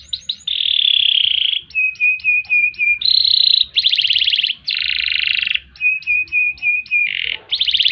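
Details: Lively canary performing ngerek and ngerol song phrases for use as a master recording: quick repeated chips, long buzzy rolls, rapid pulsed trills and clipped whistled notes alternating without pause in a dense, continuous delivery.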